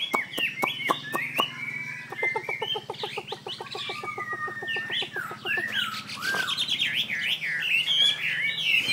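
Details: Hwamei song opening with sharp ticks and a rapid, even rattle of clicking pulses, then breaking into loud, swooping, varied whistles that rise and fall in quick succession.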